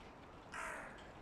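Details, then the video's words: Crow of one of two rival clans calling before nesting season; a single harsh caw rising out of a fairly loud, hissy background. "Два клана ворон очень шумят / Mating season is near? Two loud crow rivals"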